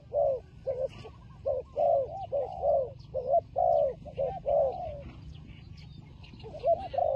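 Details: Turtle dove fighting, giving low hoarse coos in quick paired bursts, with short pauses and a longer gap before a final coo; faint chirps from other birds above.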